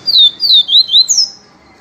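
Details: Yellow-bellied seedeater, the papa-capim peito amarelo, singing in the viviti style: a quick phrase of five clear descending whistled slurs, the last note higher and longer, over faint background hiss.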